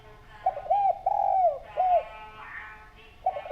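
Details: Clear-voiced spotted dove, recorded as a lure to prompt others to call, gives one phrase of mellow arched coos with a long downward-sliding middle note. A faint steady tone runs underneath and another phrase begins at the end.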